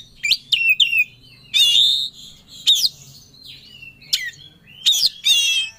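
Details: Oriental magpie-robin singing with full emotion, looking for a rival: a few loud, harsh rasping phrases and sliding whistles separated by short pauses, with sharp clicks.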